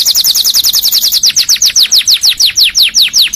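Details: Canary song suited to training and prompting other canaries: a rapid high rattling trill that loosens into a series of clear descending whistles, steady and loud throughout.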